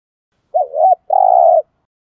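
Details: Lure spotted dove calling to draw in wild birds, giving a single phrase: a wavering two-part coo, then a sustained, even coo that drops slightly at its end.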